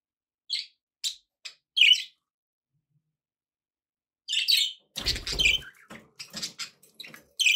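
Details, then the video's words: Budgerigars kept as pets give four spaced high chirps, go quiet for two seconds, then break into busier chirping over a brief rustling, fluttery burst of noise. "relaxing budgie sounds for your birds"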